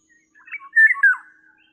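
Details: Eurasian Golden Oriole calling: a short, loud, liquid whistled phrase that climbs and then slides down in fluty notes, with a few soft lead-in notes before it. The background is quiet.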